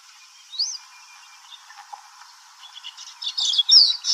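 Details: Baya weaver (Ploceus philippinus), song.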